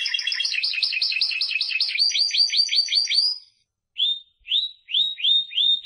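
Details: Timbrado canary singing a dense rapid trill of sharp repeated notes, then after a short silence a slower series of clear upward-sweeping whistled notes, about two per second.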